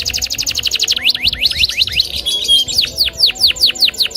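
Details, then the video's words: Canary of the loper type, singing aggressively to challenge a rival: a fast run of steep descending notes, then rising swoops and warbled trills, then sharply falling notes repeated about six times a second. "Suara Burung KENARI LOPER NGAMUK Menantang LAWAN untuk BUNYI."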